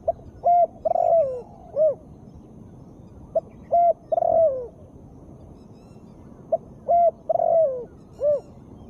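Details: Spotted dove hen calling to encourage lazy birds to sound off: three similar phrases, each a short note, a flat coo, a long wavering descending coo and a rounded hoot, repeated about every three seconds.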